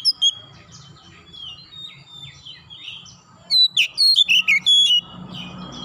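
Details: Oriental magpie-robin calling: soft, varied warbling at first, then a loud burst of sharp, ringing whistles and chirps in quick succession, with a low hum underneath.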